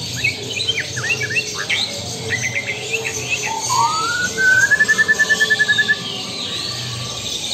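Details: Lampung-type white-rumped shama starts with scattered sharp chirps, then gives a long, rapid, evenly pulsed trill that rises and holds steady for about two seconds.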